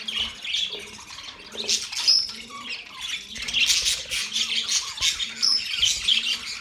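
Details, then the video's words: Budgerigars chirping and squawking indoors: dense, overlapping scratchy chatter and short bright whistles, near-continuous with bursts swelling and fading over several seconds, several birds calling at once. "Budgies sounds | Birds singing | parrot talking | Birds chirping sounds"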